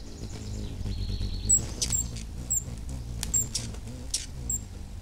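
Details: Female Allen's hummingbird playing with her 31- and 33-day-old chicks at the nest area; thin, very high chips and a short high whistle scattered among sharp clicks, over a steady low hum.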